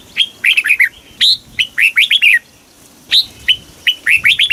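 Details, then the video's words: Caged red-whiskered bulbul from Thailand singing in the southern master style, played to excite caged birds and teach young ones: three quick phrases of five or six bright warbled, slurred notes, each separated by brief pauses. "เสียงนกกรงหัวจุก สำหรับต่อ หรือ เปิดให้นกคึก"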